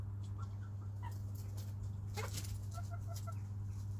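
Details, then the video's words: Hens clucking while they play and eat in a coop with a rooster: soft short tonal clucks, a sharper cluck mid-clip, then a quick even series of five or six clucks, over a constant low hum and feather rustling. "Relaxing Hen and Rooster Sounds"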